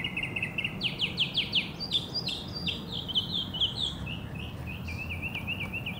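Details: Northern mockingbird singing in Hermann Park, Houston, Texas, USA: rapid varied phrases, each note repeated several times in quick series, buzzy trills and sharp downslurred notes shifting in pitch, over a steady low background rumble.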